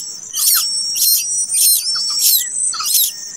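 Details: Chick of a plaintive cuckoo, hatched late, calls with five coarse hissing bursts in about three seconds, accompanied by soft low chirps and a constant high insect whine.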